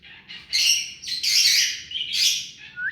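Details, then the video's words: Tame rose-ringed parakeet giving loud, drawn-out rasping screeches in quick succession. A short rising whistle-like note comes at the very end. "Mithu parrot hand taime and clear sound"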